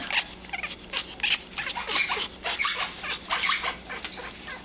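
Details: Congo African grey parrot, a hormonal 11-year-old female in mating behaviour, giving loud, harsh clucking pulses in uneven bursts, roughly one to two per second, with faint squeaks between.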